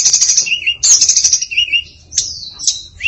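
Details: Hill blue flycatcher (tledekan) female giving varied song with fill-ins: rich fast high warbling phrases alternating with lower rolling notes, then a high descending whistle and a short rising note.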